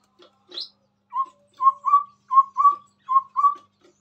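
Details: Chestnut-rumped babbler singing hard near a phone: a brief high squeak, then four paired mellow whistles, each pair with a short note and a longer upslurred one, spaced regularly, with faint clicks.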